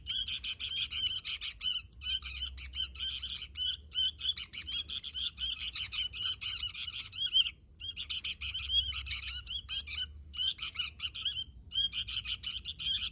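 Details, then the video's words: Vigorous sooty-headed bulbul song: long runs of quick, sharp chirps packed closely together, broken by a few short gaps, with a faint low hum underneath. "Suara Burung Kutilang Gacor"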